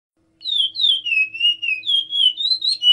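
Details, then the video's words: Chestnut-bellied seed finch (curió) singing the Timbira song type: a continuous, clear, fluty warble of sliding whistled notes, rising and falling in quick succession, over a faint low hum. "Canto do Curió Timbira"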